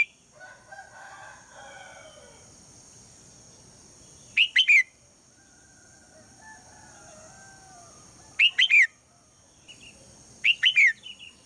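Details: Female red-whiskered bulbul calling at morning to draw song from the male: three quick bursts of rapid chirpy slurred notes, spaced about two to four seconds apart, with softer lower warbling from other birds early on.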